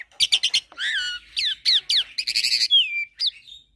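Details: Tutoring mix of pied starling, Nias myna and hybrid song: quick clicks lead into looping, warbled whistles, a rapid chattered sequence, then a long clear falling whistle and a soft trailing note.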